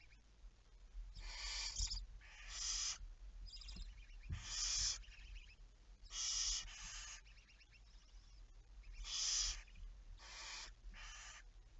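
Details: Barn owl at 23:34 on 11 May 2019 giving a busy series of about seven rasping hisses in uneven bursts, some paired closely together, with faint soft clicks and low rumbles between them.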